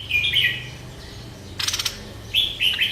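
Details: Merbah lekir bulbul singing: a short bubbling warbled phrase, then a sharp clicking burst and a second fluid, wavering phrase near the end, over a quiet low hum.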